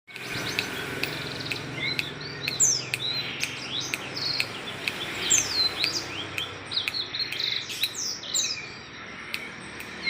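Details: Blackseng singing energetically, recorded on Tuesday 19 December; bright, high whistled notes and quick downward-sweeping chirps repeated densely throughout, with short sharp ticking notes over a steady low background hum.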